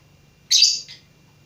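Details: A single loud, grating chirp from a lovebird learning to sing, sliding into a shorter, softer second note, with a low hum underneath.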